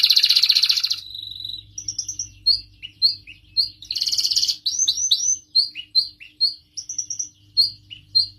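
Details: An excited, agitated canary sings loudly, a recording meant to stimulate other canaries to mate and sing. It gives a rapid buzzing trill, then bright, sweeping whistled notes about three per second, with another fast rattling roll midway.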